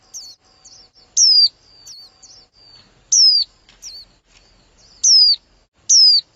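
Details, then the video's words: A female white-eye calling to excite a male, giving four loud, high, down-slurred whistled notes spaced about a second apart, interspersed with fainter, thinner twitters. "CHIM VÀNH KHUYÊN MÁI KÍCH TRỐNG"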